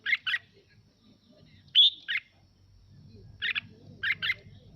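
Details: Red-whiskered bulbul song used as playback so other birds join in: doubled buzzy chirps, a high whistled note followed by another chirp, then two more chirp pairs, soft low background noise.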